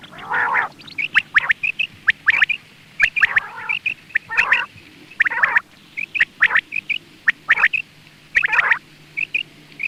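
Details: Hunting-lure quail calling: rasping, growly bursts interspersed with crisp, clipped high chips, delivered in irregular clusters over about ten seconds, with a steady low hum behind.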